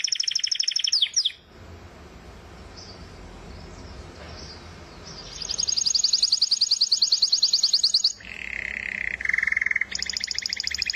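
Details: White-mutation European goldfinch delivering bursts of rapid high trills and a lower buzzy rattle, separated by a pause filled with faint broadband hiss and background murmur.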